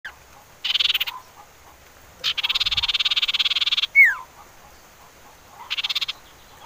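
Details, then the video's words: Common iora song, played as a lure to get other ioras singing: short buzzy rattling trills in separate bursts, one long fast rattle, and a single sharply falling whistled slur before a final trill burst. "Siulan Merdu Cipoh Sirtu"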